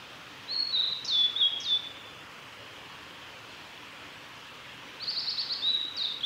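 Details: A male blue-and-white flycatcher sings two clear, high whistled phrases with slurred notes and a quick trill, separated by quiet, over faint hiss; recorded 3 May 2020 on Kanazawa forest road, Lake Miyagase, Japan.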